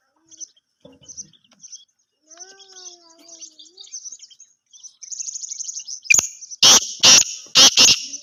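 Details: Pair of black francolins. Soft scattered chirps and faint drawn-out tonal notes build into a loud burst of harsh, grating broadband calls in rapid bursts near the end.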